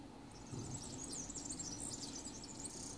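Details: Singing serin recorded at Ķengarags in Riga, Latvia, 13 June 2018: continuous thin, high-pitched, sizzling jingle of rapid scratchy twitters, slightly louder toward the end, over low rumbling traffic-like background noise.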